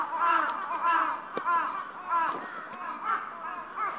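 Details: Evening crows settled at their roost on Gaikotsu-yama: loud raspy caws about every half second, several birds overlapping, with a few sharp clicks or knocks between calls.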